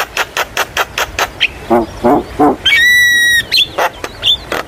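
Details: Javan myna song played as a lure for young birds: rapid sharp clicks, low rasping notes, a long harmonic buzzy note and upslurred whistles.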